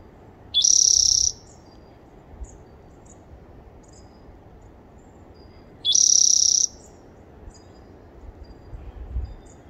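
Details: Spotted towhee recorded on 30 April 2021, giving two buzzy trills about five seconds apart, each opened by a short lower note and rattling for under a second; faint thin notes of other birds and a low rumble between.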